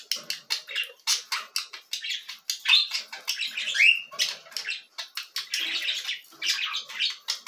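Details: Cockatiel chicks being fed give rapid, harsh, buzzy begging calls, a near-continuous rasping chatter with brief gaps, and now and then a rising squeak.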